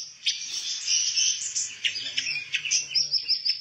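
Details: A pancawarna bird, an insect-eating songbird still untrained, sings a fast, high twittering run of thin chirps and trills, ending in a string of sharp repeated notes, over a faint low hum.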